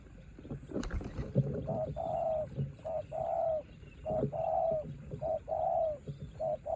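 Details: A spotted dove decoy sings in rain against a wild rival. Steady rhythmic cooing, short notes alternating with longer drawn coos, runs repeatedly. Some handling thumps come early on.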